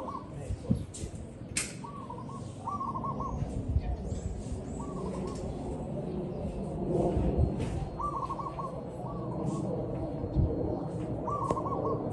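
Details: Zebra dove filmed in the field, singing a run of short, bubbling, staccato coo phrases, often in pairs, repeated through the recording over steady background noise with a few sharp clicks.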